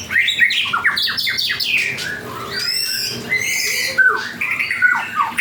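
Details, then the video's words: White-rumped shama, a variety called panda, singing vigorously. The song is a rich, varied run of whistled and chattering phrases that sweep up and down, with quick notes tumbling one after another. "murai batu panda gacor"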